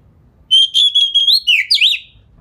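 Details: White-rumped shama (kacer) lure phrase meant to trigger other shamas; a steady high whistle broken into quick repeated pulses, ending in sweeping up-and-down slurred notes.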